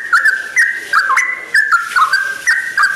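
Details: Sooty-headed bulbul at dawn delivering bright whistled phrases, each a quick slur between higher and lower notes, repeated roughly every half second.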